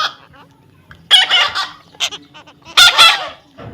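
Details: Rapid bursts of loud, raspy squawks and chattering come from a baby parrot being tamed. Two strong clusters stand out, with softer notes between them and a low background hum.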